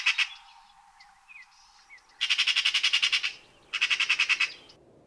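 A Eurasian magpie gives a harsh, rattling chatter: two quick runs of about ten grating notes each, with a few soft squeaky notes between them.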